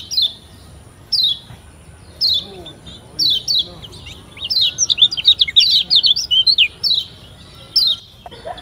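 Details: Kecial kuning of Lombok, a lemon-bellied white-eye, singing a lure song meant to spur beginner birds into song: repeated high paired chips leading into a dense, excited twitter, closing with a few separate chips.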